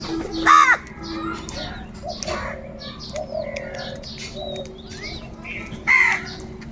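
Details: Crows calling while searching for food: two loud, harsh, nasal caws, one near the start and one near the end, over steady twittering and whistles from many smaller birds and a low background hum.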